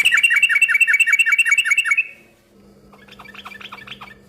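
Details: Yellow-vented bulbul singing busily as a lure for other bulbuls to reply: a fast, bright trill lasting two seconds, followed by quieter, softer chattering notes.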